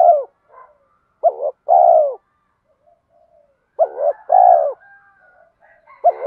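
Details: Coos of a spotted dove in the thổ voice with thúc, used to urge fighting and train decoys. Strong low phrases, a brisk double note then a sustained falling coo. Faint soft notes fill the pauses.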